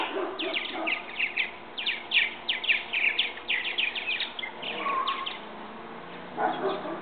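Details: Purple martin fledglings leaving their backyard bird house nest for first flights; busy bursts of sharp, gravelly chirps and chatter from several birds, fading after four seconds, with a low hum and faint background sounds.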